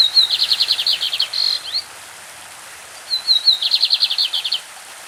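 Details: Two classic-style song phrases from a champion lined seedeater of Brazil, about three seconds apart. Each has brief high whistles and then a dense, rapid trill. A babbling stream fills the gap between them.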